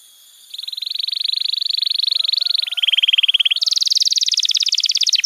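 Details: Canary singing a master song for training young canaries, a long steady rolling trill that drops slightly in pitch, then jumps to a higher, faster trill.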